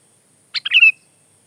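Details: Sooty-headed bulbul song phrase: rough chips, then a warbled whistle that ends in a steady, thin drawn-out tone. Close and clear, with no other sounds.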